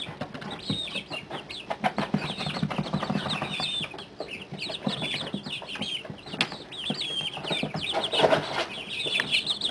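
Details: Month-old chicks being weaned off heat, playing together in a brooder: steady chorus of thin, falling peeps from several birds at once, mixed with scratching, pecking clicks and occasional wing flutters.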